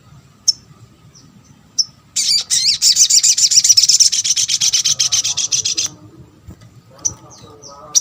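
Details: Lure calls of a little spiderhunter meant to trigger answers from other spiderhunters: isolated high chips, then a long, fast, metallic chattering trill of nearly four seconds, fading, followed by more sparse sharp notes.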